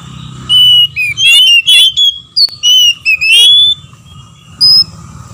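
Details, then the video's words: Caged Oriental magpie-robins, male and female answering each other: a string of loud whistled notes with sharp buzzy bursts and a click, trailing off into a single high whistle after a short quiet spell. "PANCINGAN KACER BETINA DAN JANTAN BERSAUTAN BIKIN KACER LAIN MARAH DAN GACOR"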